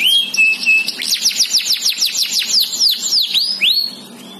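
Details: Singing canary, noted for symmetrical face markings, delivers two level whistles then a rapid run of sharp descending notes about four per second, followed by looping upswept slurs fading out.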